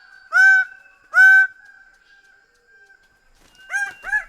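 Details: Greater bird-of-paradise: two loud nasal honks less than a second apart, a quiet stretch, then two softer, shorter honks.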